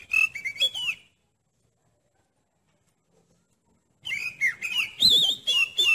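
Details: Oriental magpie-robin (kacer) song played to test another kacer's nerve: a second of rich whistled, warbling notes, then about three seconds of silence, then the varied rising and falling whistled phrases resume.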